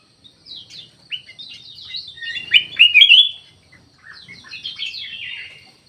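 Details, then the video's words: Captive kutilang emas, a black-capped bulbul, in an aviary: a rich, fast, slurred warble peaking mid-phrase, then a softer rolling chatter, over light twittering from other birds. "KUTILANG EMAS"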